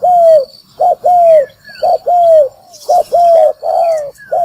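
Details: Spotted dove call played to lure birds for trapping; loud, clear coo phrases, each a short note then a long smooth downward-sliding coo, repeated roughly every second, with faint thin high whistles behind.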